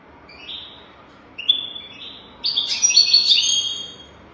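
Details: Goldfinch song used to teach young European goldfinches: a few spaced whistled notes, then a sudden rush of fast, sparkling, high twittering over soft background hiss.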